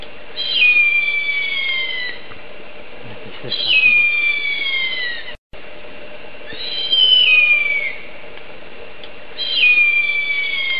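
Harpy eagle giving four long, thin, wailing whistles, each sliding downward, spaced about three seconds apart over a steady low hum.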